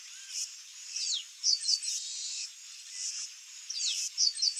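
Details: Chestnut-capped blackbird (Chrysomus ruficapillus), song.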